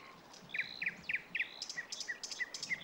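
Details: A marsh warbler sings on a Finnish summer night in a bird grove, starting up again after a pause with quick bursts of buzzy, chattering notes followed by thin, high whistled chips, against a soft background hiss.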